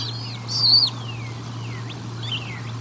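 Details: Bald eagle at the Decorah North nest during feeding, 1 April 2022: one loud, high piercing note, then thin descending whistled slurs and a brief chitter, with a constant low hum beneath.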